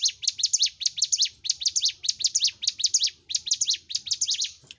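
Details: Energetic song of the ciblek gunung (bar-winged prinia) for masteran training of caged birds: bright, high chirps in short clustered bursts separated by brief gaps, the rhythm slightly uneven, ending with a fading note.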